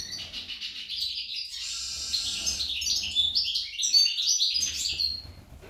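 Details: Rapid sparkling twitter from a female goldfinch described as like a hummingbird, with buzzy trilled passages and sharp chirps rising in loudness before tapering off.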